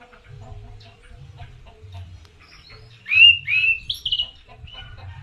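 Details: Oriental magpie-robin lure song: after about three seconds of low hum and faint noise, a short loud run of whistled notes climbs step by step, then fades back into the background rumble.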